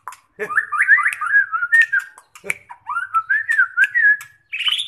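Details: White-rumped shama being prepared for a song contest: clear whistled phrases of rising and falling slurred notes, with short clicks between, ending in a higher buzzy note.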